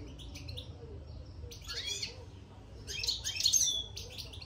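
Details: European goldfinch twittering (bitbita) inside a cage it has just entered; close, clear bursts of liquid chirps, a rising-falling slurred note, then a louder rich trill near the end, little background noise.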